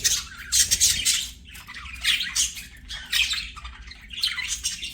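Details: Singing budgerigars at play: repeated bursts of harsh, buzzy chirps and scratchy warbling, each lasting under a second and separated by brief quieter gaps.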